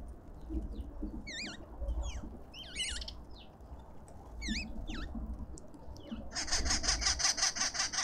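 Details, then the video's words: Lovebirds at a feeder in a suburban Pretoria garden, South Africa: a few clear, wavering whistled shrieks, then a loud, continuous raspy chatter near the end, with low background noise. "Lovebirds endlessly"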